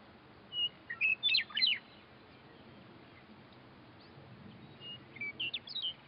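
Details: A Western Meadowlark singing from a roadside fence gives a flute-like song that opens with clear whistles and tumbles into a quick gurgling jumble. A fainter phrase from another meadowlark calling back follows about four seconds later.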